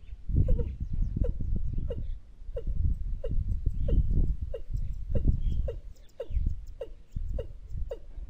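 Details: Watercock call used as a trapping lure: a series of short, hollow, downward-slurred notes repeated about every half second, with heavy low rumbling background noise throughout.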